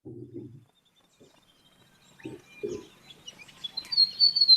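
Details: White-throated Gerygone of the nominate subspecies, a dry woodland canopy bird: thin, high, sweet notes that swell in the last second and a half. A man's voice is heard briefly before the bird.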